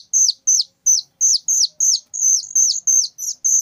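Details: Whistling thrush chick, very loud, producing piercing high notes that each end in a sharp downward slide, repeated about three per second with slightly uneven spacing.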